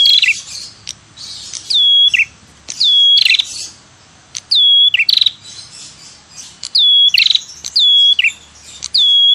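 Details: A red-headed prinia, used as a lure call, calls in quick phrases, each a buzzy rattle then a clear high whistled note that slides down, repeated about every two seconds.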